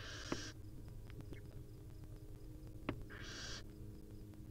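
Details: Wild barn owl mother and her babies at the nest: two breathy hissing screeches about three seconds apart, with faint sharp clicks and a low continuous hum.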